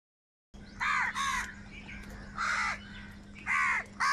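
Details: Angry crows fighting for food, calling loudly and continuously: harsh, buzzy caws in short bursts, two close together, then single caws about a second apart, over a faint steady hum.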